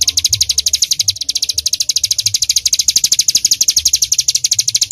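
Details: Bar-winged prinia in rapid 'tembakan' song, a quick, uniform series of bright high-pitched chips, about four per second, running throughout with a soft low hum underneath.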